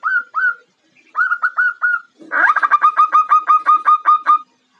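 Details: Female zebra dove (perkutut jawa, Geopelia striata) calling to attract a male: soft rolling notes near one pitch, first in short groups, then a fast run of about a dozen clipped, evenly spaced coos.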